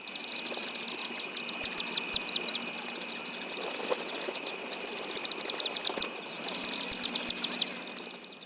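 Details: Chimney swifts in Hampton Roads during the warm months give high, rapid chippering twitters in bursts every couple of seconds, with a steady high insect-like hum underneath.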